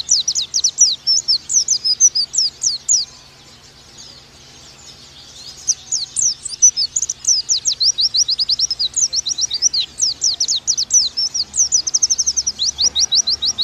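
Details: Long bout of oriental white-eye song from a tutor recording: rapid high chirping, a short lull, then a sustained, dense series of sharp descending tweets.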